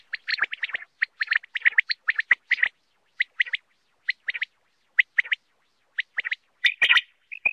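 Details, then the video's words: Common quail call used for quail hunting and netting: quick, liquid three-note 'wet-my-lips' phrases, repeated in runs, then spaced about a second apart, with a brief crackle of noise near the end. "Common quail mp3 sound ll common quail hunting ll quail sound ll Batair mp3"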